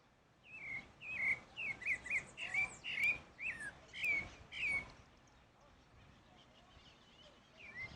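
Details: Pale-breasted thrush, Turdus leucomelas, singing in natural surroundings: a rapid burst of about ten bent, whistled notes over four seconds, then a pause and one more note near the end.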